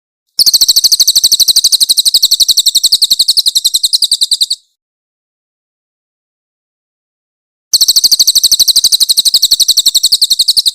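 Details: High-pitched song of a grey-headed canary-flycatcher (cililin) recorded as a training master with harsh 'tembakan' shots: a four-second stream of rapid, regularly spaced sharp chirps, a three-second gap, and a second similar stream.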